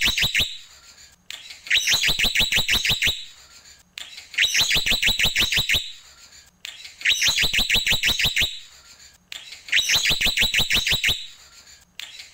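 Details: Jalak pito, the black-winged myna, delivering tembakan: four volleys of fast, hard, machine-gun-like notes, each about one and a half seconds long, repeated roughly every two and a half seconds, with short rasping sounds between volleys.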